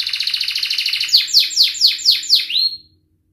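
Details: Canary training song for young birds: a rapid buzzy trill, then six loud downslurred whistles about four per second, ending in silence.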